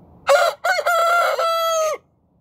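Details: Rooster crowing in the morning: one loud crow, two short rising notes then a long held, slightly falling note, lasting under two seconds.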